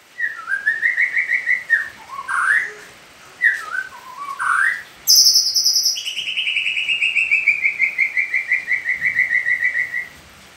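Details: Sumatran oriental magpie-robin, seven months old, pastol type, delivering a long cililin-style training song for young birds: wavering whistled phrases, a sharp high burst, then an extended pulsing trill slowly falling in pitch over several seconds.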